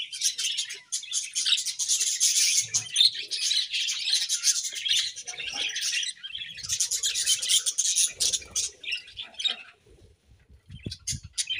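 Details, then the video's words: A home budgie colony, described as happy, pours out dense, warbling high chatter that stops briefly near the end before a few final chirps. "𝐇𝐚𝐩𝐩𝐲 𝐁𝐮𝐝𝐠𝐢𝐞 𝐒𝐨𝐮𝐧𝐝𝐬 | 𝐁𝐢𝐫𝐝𝐬 𝐒𝐢𝐧𝐠𝐢𝐧𝐠 | 𝐁𝐮𝐝𝐠𝐢𝐞𝐬 𝐂𝐡𝐢𝐫𝐩𝐢𝐧𝐠 𝐒𝐨𝐮𝐧𝐝𝐬"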